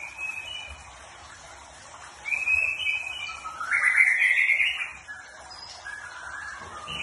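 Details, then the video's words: Bird chirping in the morning. Quiet high twitters lead into a louder run of bright, sliding chirps. These swell to a rough, rising phrase and then fade back to soft, scattered notes. "Chirping bird on the morning"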